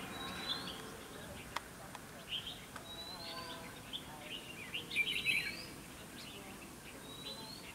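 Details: Red-whiskered bulbul singing to provoke fighting at a trap, scattered whistled notes building to a dense warbled burst near five seconds, with a few clicks and soft background noise.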